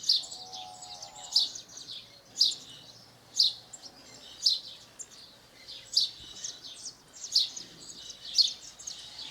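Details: House sparrow singing in nature in Brazil: a steady series of loud, clipped chirps, roughly one per second for nine seconds. A faint, low, wavering tone sounds briefly near the start, with a quiet outdoor hiss behind.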